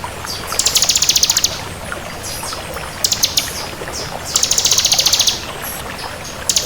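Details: Crystal bar-winged prinia in full song, giving fast, high, pulsed trills of about a second, separated by shorter clipped chips, against a constant background hiss.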